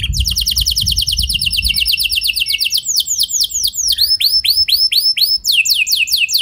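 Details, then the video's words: Canary singing a long rolling song meant to prompt other canaries to answer: rapid series of high, downward-swept whistled notes repeated about twice per second, shifting pace midway, with some low rumbling noise at the start. "Pancingan Kenari Biar Gacor Ngeroll Panjang! Dijamin Kenari Lain Pasti Langsung Nyaut Emosi Ngeroll"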